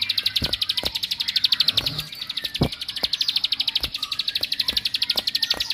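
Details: Ciblek, the bar-winged prinia, delivering a provoking song: a continuous rapid series of high, slightly rasping chirps at roughly three per second, with scattered dull tapping clicks underneath.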